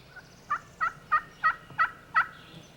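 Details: Wild Turkey gobbler during spring hunting, thought to be following a hen that answered mouth-diaphragm hen calls; six rapid throaty gobble notes about a third of a second apart, loud and clear over quiet background.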